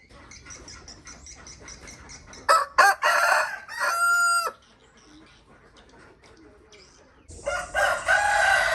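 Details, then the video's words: Rooster crowing: loud harsh opening notes, then a sustained wavering crow ending with a drawn-out tone, followed by quieter background and a final loud raspy burst. "RooSter SouNd"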